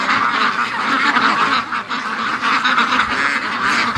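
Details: Free-range domestic ducks in a large flock during their morning rush, calling together in a dense, continuous chorus of overlapping nasal quacks with no pauses between voices.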